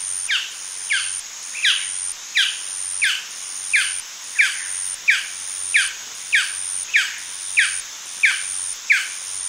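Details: A male Golden Dove yapping steadily, about fifteen quick downward-sliding barks at a brisk, regular pace, backed by a continuous shrill high-pitched hum.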